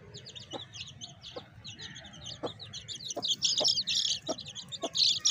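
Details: Hen with her baby chicks: rapid, high-pitched chick peeps chatter continuously, growing louder toward the end, while short, low clucks repeat roughly every half to one second.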